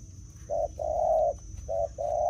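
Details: Spotted dove cooing as a decoy bird: low hollow coos in two pairs, a short note followed by a long drawn one, repeated twice, over a rumbling outdoor background with a faint steady high tone.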